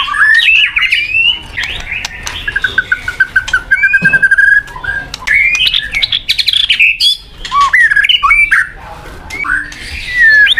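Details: White-rumped shama, a popular caged songbird, singing a varied run of whistled phrases around mid pitch, including a long steady note and sweeping rising and falling slurs, with sharp clicks between phrases.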